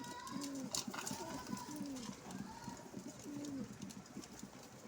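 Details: Pigeons perched at a window give low, throaty coos, three rolling phrases spread across five seconds with softer murmurs between them; faint indoor room noise and scattered clicks behind.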